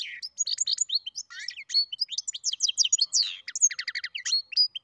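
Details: Continuous twittering from a European goldfinch × canary mule, a quick mix of high slurred notes, short chips and dense rhythmic trills running without a break.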